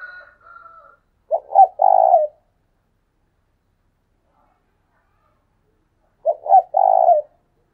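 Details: Spotted dove used as a decoy, calling thúc sung style. A faint higher drawn tone opens, then two low three-part coos come roughly five seconds apart, each with two clipped notes and a sustained throaty hum.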